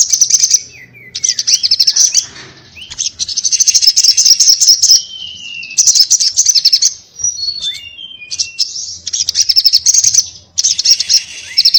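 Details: Sogon (little spiderhunter) singing in the energetic 'ngobra' style: bursts of fast, high, sizzling chatter alternate with clear whistled slurs and short descending notes, with brief quiet gaps between phrases.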